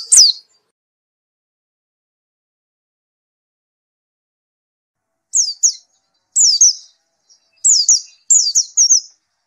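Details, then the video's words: White-eye after therapy: one high down-slurred note, a long silence, then several short bursts of two or three thin descending whistles in quick succession toward the end. "Gila nie pleci setelah diterapi gacor terus"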